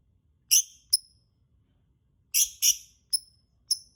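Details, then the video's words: Lovebird sounds played as a lure to set birds singing: two pairs of harsh, shrill, broadband screeches separated by a pause, each followed by short high tonal chirps, over quiet background rumble. "Pancingan Suara Burung Lovebird"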